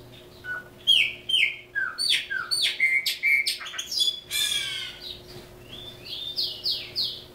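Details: Caged chopi blackbird, native to Brazil, singing a varied run of clear whistles, slurred notes and buzzy rasping phrases, mostly high-pitched, delivered in rapid bursts over a steady low electrical hum.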